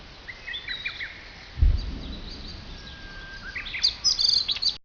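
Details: Wild birds singing in a forest at the foot of Mount Fuji near Fujiyoshida, Japan, with the summit snow mostly melted and the slopes green. Thin, high chirps and short whistled notes come from several birds, with one dull low thump partway through.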